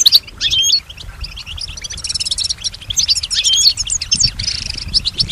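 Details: Kept European goldfinch, described as female and as imitating surrounding sounds, sings a rapid twittering song of high liquid notes and buzzy trills with dense chatter throughout and a dry rattling burst midway; faint low background rumble.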